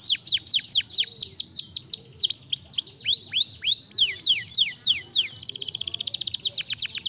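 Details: Canary singing, played to quickly stimulate a lazy canary: fast cascades of sharp downward-slurred chirps, then a dense buzzing trill near the end, followed by more slurred notes. Faint low hum throughout.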